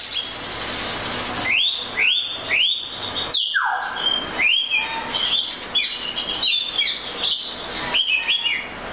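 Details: Repeated rising whistles from an Oriental magpie-robin, followed by a downward slur and a run of varied sweet notes and short trills.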